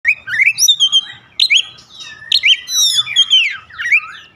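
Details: Oriental magpie-robin song used as a daily lure to get other birds singing: loud, varied whistled phrases, rising and falling sweeps and quick trills in bursts, with short pauses between them and very little background sound.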